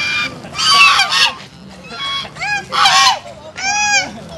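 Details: Peacock giving loud, harsh, nasal honking calls in four or five bursts, each a wailing note that arches up and then falls, rich in overtones, with short pauses between them.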